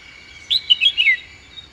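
Red-whiskered bulbul giving a quick, bubbly phrase of four or five liquid, whistled notes, ending on a falling slur, against a quiet background.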